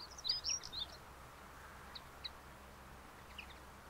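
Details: Common linnet song recorded 13 April 2021 at Lentevreugd, Netherlands: a quick burst of high, twittering notes, then a few scattered chirps over a steady background hiss.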